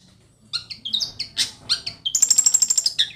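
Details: Long-tailed shrike, described as fierce, singing a loose series of high squeaky and chirping notes that breaks into a rapid run of about a dozen sharp, high strokes, ending with one lower squeaky note.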